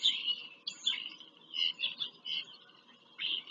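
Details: Bald eagle visiting its nest in Pennsylvania farm country, live nest camera, 5 February 2023; a quick series of shrill, squeaky chitters in short separate bursts, with a faint low background hum.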